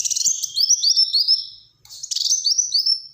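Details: Black-throated sunbird in rapid song: a dense string of high, rising chirped notes, a pause, then a buzzy trill leading into more chirps.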